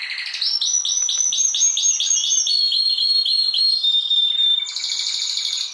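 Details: Rolling canary song, a training song for other birds, with rapid upslurred notes repeated about four per second, shifting into a thin pure whistle and ending in a dense buzzy trill.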